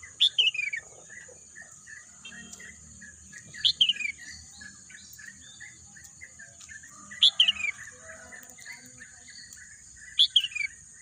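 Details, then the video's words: Birdsong in a green natural landscape: a sharp, descending high whistle-chirp repeated about every three seconds over a steady high hiss and faint background twittering. "bunyi kicauan burung"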